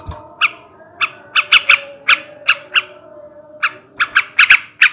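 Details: Male yellow-vented bulbul, 'ngebrem ngekek' style, aimed at stimulating breeding: scattered harsh squawky notes, single or paired, with pauses of up to a second between groups and a faint hum beneath.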